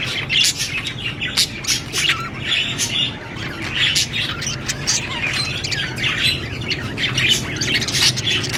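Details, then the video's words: Budgies twitter and chirp continuously, quick clicky notes and harsher squawks overlapping, with a steady low hum in the background. "Beautiful budgie parrot chirping sound"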